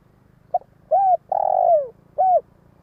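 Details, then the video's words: Spotted dove decoy cooing to attract wild doves: a quick short note, an arched coo, a drawn-out rolling downslurred note and a final arched coo, over a steady low humming background. "Tiếng gáy cu mồi cây | Tiếng chim cu gáy kích bổi nhanh nổi hiệu quả"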